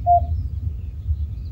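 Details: At night at a house yard, a Common Cuckoo gives clear, hollow mid-pitched notes, one at the start and another at the end, over a steady low rumble; Common cuckoo.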